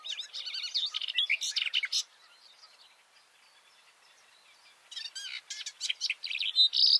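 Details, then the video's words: Garden warbler (Silvia borin) singing from a bush, microphones about two meters below: two long runs of hurried, melodious warbling with scratchy notes, separated by a roughly three-second quiet gap. "This garden warbler song (Silvia borin) sounds great!"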